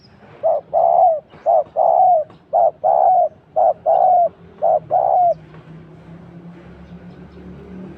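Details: Spotted dove calling as a decoy during trapping that netted a pair. Five quick two-note coos, each short lead note followed by a longer falling coo, then low background hum.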